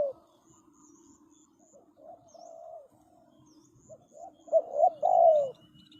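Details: Spotted dove used as a decoy to lure wild birds into a trap. Soft low coos early on, then a loud burst of three quick rolling coo notes near the end, with faint high chirps overhead.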